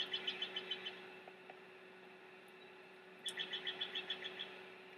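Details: Bald eagle chicks, restless in their Big Bear nest beside the mother: two quick runs of high, evenly spaced chirps about eight per second, separated by a quiet gap with a faint steady hum beneath.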